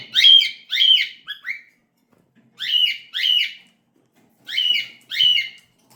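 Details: Cockatiels calling loudly in a quiet room: shrill, rising-falling whistled chirps, mostly in pairs, three bursts about two seconds apart, with a short trailing chirp after the first pair.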